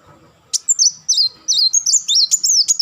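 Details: A kolibri wulung sunbird fires off a fast, unbroken run of thin, high chattering notes, each a brief twisting sweep, rising slightly in pitch toward the end of the burst.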